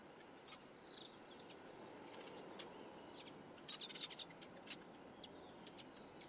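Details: Black-headed weaver at its nest during repairs, Quinta do Lago, Portugal: sparse, thin, high chirps and short downslurred notes spaced about a second apart, with faint clicks between them.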